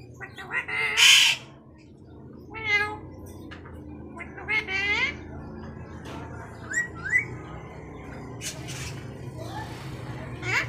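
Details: Pet Alexandrine parakeet talking, harsh squawky syllables with stacked harmonics in short bursts around one and three seconds, then scattered fainter chirps and clicks over a steady low hum.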